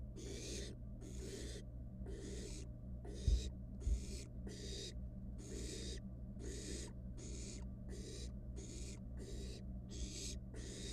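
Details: Nest-box barn owl nestling, wild, toying with its dinner, repeating rough hissing calls in an even rhythm, with two sharp knocks early on and a background hum.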